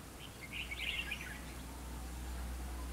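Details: Red-whiskered bulbul at a fighting trap, its decoy song provoking rivals: one short burst of bright warbled notes near the start, then quiet, over a steady low hum and background noise.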